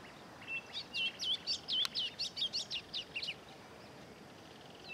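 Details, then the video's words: A young double-collared seedeater sings a quick, high string of sweet whistled and buzzy notes, about a dozen in under three seconds. "Coleirinha Jovem"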